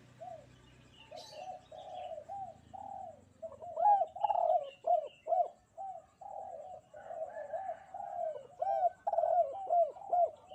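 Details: Spotted dove singing actively on a bright morning: a dense run of low, hollow coos, arched notes overlapping and repeated quickly for most of the stretch, with a short high thin sound early on.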